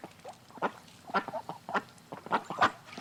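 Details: Ducks on the edge of a pond, short burst of clipped, nasal quacks and softer chuckling notes spaced irregularly over a few seconds.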